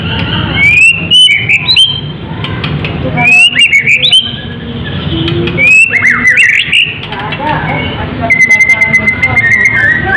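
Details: White-rumped shama, Medan type, singing 'gacor' with full fill-in repertoire ahead of a song contest; rich whistled phrases with sharp rising flourishes about every two to three seconds, ending in a long, level whistle.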